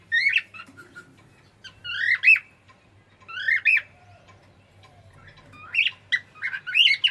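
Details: Cockatiel kept as a pet, singing: clear rising-and-falling whistles in groups of two or three, roughly every second or two, ending in a quicker run of chirped notes, with a faint hum beneath.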